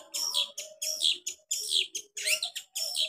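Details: Sharp 'tembakan' variation from a long-tailed shrike in full song, a series of five harsh, rasping, screechy phrases about half a second apart.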